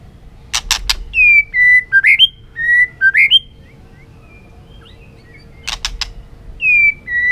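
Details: White-rumped shama singing to stimulate other shamas into competitive singing: clear whistled, slurred phrases, some rising and some falling, in a burst mid-clip, flanked by sharp clicking notes near the start and end, with a quiet pause between.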